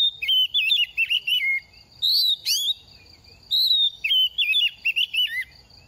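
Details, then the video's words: Oriental magpie-robin in its second year, mid-moult, sings repeated phrases of fluty, wavering whistles with sharp rising flicks. A phrase recurs about every two seconds. "Kích chim hót mùa thay lông | Choè than bánh tẻ lên 2 vụ mau mồm đang rớt lông p3 Kích Choè Than Hót"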